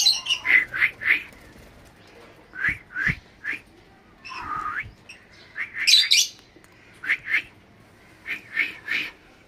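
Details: Lovebird squawks and chirps: short harsh high notes in pairs and small clusters separated by quiet gaps, one longer buzzy squeal midway.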